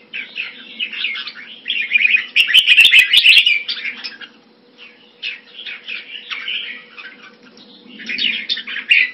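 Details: Caged red-whiskered bulbul kept Thai style in Singapore, recorded around February 2018, singing short, rich, warbled phrases in bursts separated by pauses, with sharp clicks midway and a steady low electrical hum underneath.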